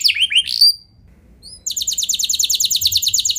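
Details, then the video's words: Canary lure song meant to set other canaries singing long rolls: a few quick high chirps and a bright whistled note, a short pause, then a fast even trill of repeated high notes. "Pancingan Burung Kenari Nembak Mantap! Buat Kenari Lain Pasti Langsung Ikut Gacor Ngeroll Panjang"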